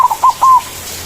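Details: White zebra dove singing in its manggung style, used as a lure to call rival doves: a brief fragment of soft cooing notes, two short ones then a longer held coo, with a faint low hum behind.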